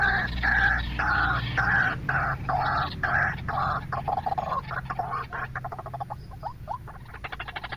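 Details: White-breasted waterhen lure call: loud repeated croaking notes, steady at first, then breaking into quicker clicking pulses and short rising notes, over a low hum.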